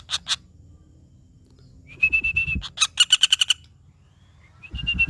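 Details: Woodpecker calling: sharp high chattering notes and a thin level whistle, with a rapid run of about eight clipped notes near the middle, plus low thumping handling noise.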